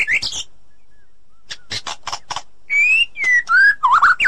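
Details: White-rumped shama heard in forest, female calling a male; harsh broadband rasps, a pause, then a run of clear whistles that slide downward and end in a wavering, warbled note.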